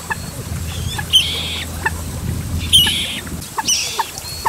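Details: Two large common moorhen young calling busily for the parents when moving away from the nest; three high, hoarse peeping calls spaced over a second apart, with a low hum and soft background sounds.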